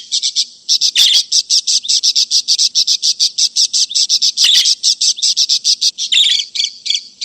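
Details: Budgerigar calls meant to lure an escaped budgerigar or train other birds: a continuous stream of quick, evenly spaced chirps with occasional rougher, harsher notes breaking in.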